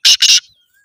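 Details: Black francolin, one of three birds of Sindhi and Kohati types, giving two loud harsh rasping notes in quick succession, followed by a faint thin whistle.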